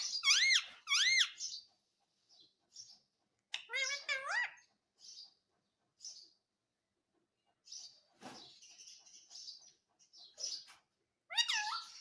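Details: Indian ringneck parrot voicing scattered speech-like phrases: bouncing harmonic syllables at the start, a wavering phrase in the middle, soft chirps between, and another rising phrase at the end.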